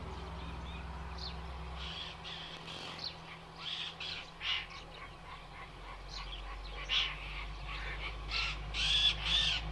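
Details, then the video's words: Indochinese roller giving harsh, rasping bursts in irregular series, growing louder and closer together toward the end, over a low steady background hum. "เสียงนกขาบ นกตะขาบทุ่ง Indochinese roller sound"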